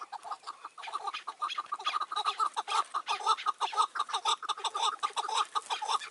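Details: A caged decoy Chukar and a wild partridge are calling during a May 2024 hunt. Steady series of clipped chuck notes, about two per second, with strong mid-pitched harmonics. The notes build into a rolling rhythmic chatter.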